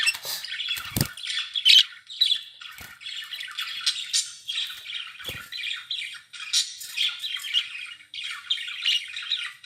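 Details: Several pet budgerigars (Melopsittacus undulatus) chatter and warble continuously in a busy stream of scratchy, high-pitched chirps and squawks.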